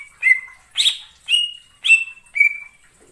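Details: In wild forest, a greater green leafbird gives five separate notes, each a harsh onset sliding into a short level whistle, spaced about half a second apart.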